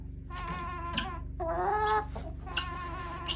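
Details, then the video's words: Chickens in a backyard flock: three drawn-out, rising and wavering harmonic calls, the middle one loudest and longest, over a steady low mechanical hum. "Weird chicken sounds"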